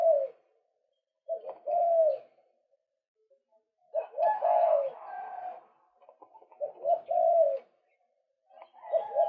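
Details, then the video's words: Calls of a male white-breasted waterhen meant as a lure: separate bursts of rough, croaking notes every few seconds, each a cluster of short strained syllables, with silence between. "เสียงนกกวักตัวผู้ รับประกันความหมาน"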